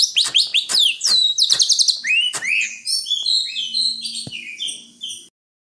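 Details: Greater green leafbird calling in quick sharp chips and a rapid buzzy trill, flowing into a long sweet run of slurred high whistles that fades out.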